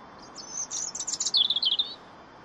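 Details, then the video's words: European robin singing: a short, very high phrase of thin, sweet warbling notes that rises into a rapid twittering trill, then falls to a few descending liquid notes. The phrase lasts about one and a half seconds against a quiet background. "CANTO DEL PETTIROSSO. (ERITHACUS RUBECULA)"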